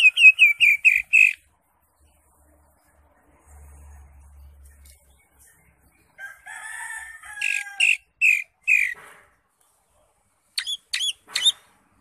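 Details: Cucak ijo, the greater green leafbird, singing ngekek style. A quick string of bright repeated whistled notes opens, then a wavering buzzy passage with further loud chipped notes. A short hooked-note burst ends it.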